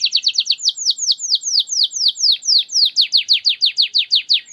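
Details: Canary 'nembak' singing used as a lure for canaries that rarely sing: a steady series of loud, high, downward-slurred whistles, about two each second, clean with no other sounds.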